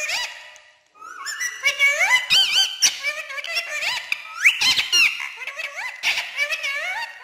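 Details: Ringneck green parrot talking non-stop in Urdu and Hindi; clear high-pitched mimicked speech with rapid rising and falling syllables and laugh-like squeaky phrases, almost continuous after a brief silence.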